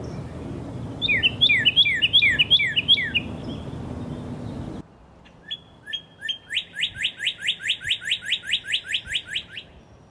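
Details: Northern Cardinal along Kentucky's Beargrass Creek whistling clear slurred notes, first a quick series of down-slurred phrases, then a long run of rapid rising whistles, about three per second; cardinals sing to mark territory.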